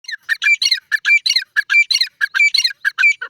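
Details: Grey francolin calling loudly: harsh, squawky notes with short clear whistled tones, given in rapid clusters of two or three. The clusters repeat steadily for the whole stretch with only brief gaps.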